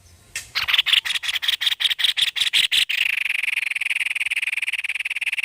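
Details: Energetic white-necked babbler song made of a fast string of loud rasping pulses that runs into a longer, even, buzzing rattle.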